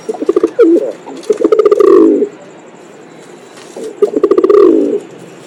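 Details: Pigeon sounding loud, close coos: a stuttering series of soft pulses sliding into a drawn-out, wavering low purr, repeated twice with a pause between.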